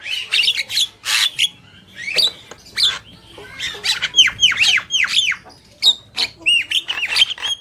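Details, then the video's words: Black-winged myna pair, male and female, giving loud harsh squawks followed by a run of repeated falling whistled notes and sharp clicks in quick succession. "Jalak Kebo Gacor | Burung Jantan dan Betina"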